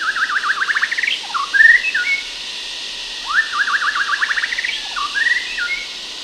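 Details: White-rumped shama in Sumatra, Indonesia, singing two rich, rapidly rising and falling whistled phrases, each ending in clear slurred notes, over a steady hiss of distant cicadas.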